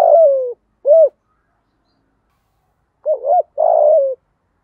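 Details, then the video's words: Spotted dove decoy in thổ voice, luring wild doves. A long falling burred coo ends one phrase with a short coo. After a pause, a doubled note and another descending coo begin the next phrase. "Chim Cu Mồi. cu gáy giọng thổ/ tieng cu gay kich boi nhanh noi"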